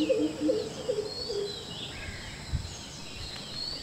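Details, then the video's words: Greater coucal pair on a wall in Palakkad, January winter morning, trading mating calls: a short burst of deep, booming repeated notes at the start, fading out as higher whistles and chirps of other birds continue. "Greater coucal mating calls"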